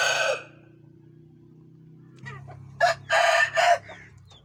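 An Aseel rooster gives a brief burst of crowing: a harsh opening note, a pause, then three loud, hoarse syllables near the end, over a low background hum.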